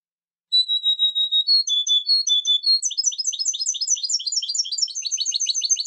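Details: European goldfinch song opening with a long steady high whistle, then paired notes that step up and down, and finally a fast, dense, jangling twitter that runs to the end, with no background noise.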